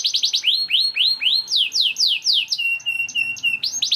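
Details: Energetic young canary singing to draw other canaries into song: a few fast chips, then loud falling slurs about four per second, a flat high whistled note with clicks, and a closing rapid trill.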